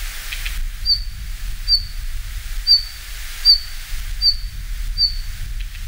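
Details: A Red-flanked Bluetail in Japan in winter, when it comes down to lowland and low-hill woods and holds a territory, gives six thin, high, clipped whistles, about one every three-quarters of a second, over a steady low rumble of distant wind or traffic.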